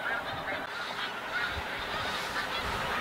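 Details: Snow geese during migration at Montmagny, Quebec, a dense flock giving a continuous chorus of overlapping nasal honks and yelps, with no single bird standing out and no pauses.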